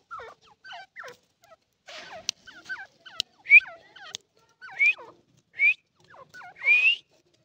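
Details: Iranian partridge giving short, downward-curving chirped notes in loose series, with a louder rising whistled note repeated about every second toward the end, plus a few sharp clicks.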